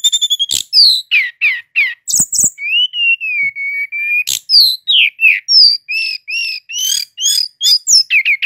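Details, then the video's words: Brown-chested jungle flycatcher, a local bird native to Indonesia, singing nonstop in a loud, dense song. Varied whistled phrases include rising and falling slurs, a long steady whistle and quick chirps, delivered almost without pause. "Sikatan Rimba Dada Coklat Gacor - Ngeroll Tiada Henti"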